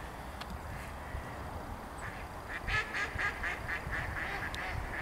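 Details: Mallards quacking loudly, recorded on 4 December 2022; a quick burst of harsh, nasal quacks, about eight in two seconds, rising out of steady low rumbling background noise.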